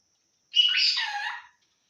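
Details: Talking parrot from Assam, a pet, producing one smooth one-second vocal phrase with shifting harmonic bands, clean and otherwise quiet.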